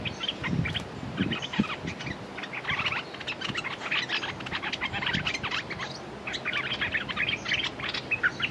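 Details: Decoy red-whiskered bulbul calling to lure a clever territorial wild bird that has beaten many decoys. Dense, fast runs of bright chirps and short twittering notes fill the whole stretch, with soft low patter and rustling underneath.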